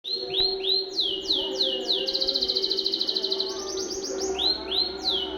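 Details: Canary from Banda Aceh, Indonesia, singing a masteran training song: a quick series of bright, downward-sweeping whistled notes, then a rapid even trill, then more falling whistles, with a steady low hum underneath.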